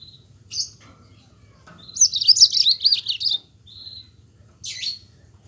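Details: Yellow-fronted canary giving a rolling song to prompt reluctant Mozambique canaries: a few isolated high chips, then a fast, looping, high-pitched warbled trill of about a second and a half, ending with a short whistle and a buzzy note.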